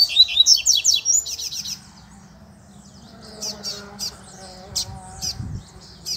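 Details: Double-collared seedeater in the wild, lured in the bush, opening with a loud run of sharp, descending high chirps, followed by softer scattered twitters against a faint droning background.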